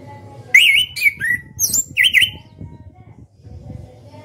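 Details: Orange-headed thrush, a caged national contest winner from Indonesia, sings warbled whistles that twist up and down, interspersed with high squeaks, over a busy low background rumble.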